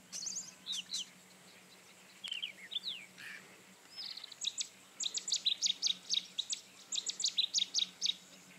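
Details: Rufous-tailed scrub robin song, a long run of high, bright notes: slurred descending whistles, then rapid evenly repeated sharp notes delivered in several fast series.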